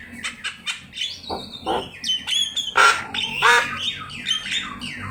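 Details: Javan myna song from a master recording for training birds to sing: rapid series of squawky, harsh notes and clicks interspersed with whistled, gliding tones, loudest in the middle, irregularly paced.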